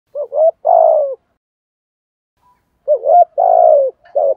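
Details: Spotted dove giving a 'thúc gù' urging coo in the 'giọng thổ' style, used as a lure: two short rising notes, then a long, level, slightly falling coo. After a pause of about 1.5 seconds the phrase repeats, on a clean, quiet background.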